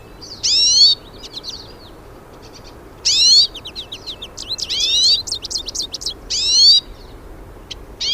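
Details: Wild hooded siskins singing together in nature: strong buzzy upward-sweeping phrases repeat every few seconds, linked by bright twittering chirps and brief trills, with little background noise.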